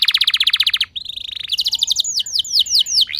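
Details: Canary singing in a lure recording for other canaries: a rapid pulsed roll of about fifteen notes, a brief flat trill, then a series of bright falling whistled sweeps that slow toward the end.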